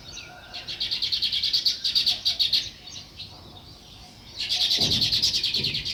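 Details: Sparrow chirping in a natural setting: rapid, bright chirps repeated several times a second in two bursts, the first lasting about two seconds, then a pause, then a second burst near the end, with faint low background rumble.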